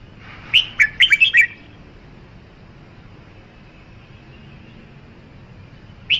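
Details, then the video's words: Red-whiskered bulbul singing one quick phrase of five or six bright, slurred whistles that rise and drop, followed by a long pause and the start of another note at the end; faint low hum beneath. "Tiếng chim chào mào"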